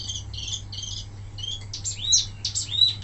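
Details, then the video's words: Wambi mini recorded as a tutor song for training other songbirds: soft buzzy trilled phrases, then louder sharp rising and falling whistled notes, over a constant low hum. "suara asli wambi mini tembakan mantap buat masteran"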